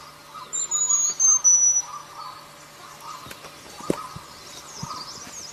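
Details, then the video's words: Wild selendang biru bird giving a short burst of high, thin, slightly falling whistles at the outset, then quiet apart from a pulsing insect chorus and a few sharp clicks. "Suara burung selendang biru di alam liar"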